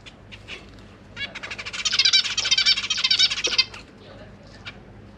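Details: Zebra finch chicks in a cage with their parents and three older juveniles, being fed; a loud, rapid, continuous stream of harsh wheezy notes for about two and a half seconds, preceded and followed by isolated soft chirps.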